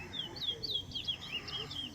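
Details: A Large-billed Seed-Finch (towa towa) in a bird singing race in Linden, Guyana, sings a fast, continuous run of sweet, slurred whistles, high and bright, while people count its songs aloud in the background.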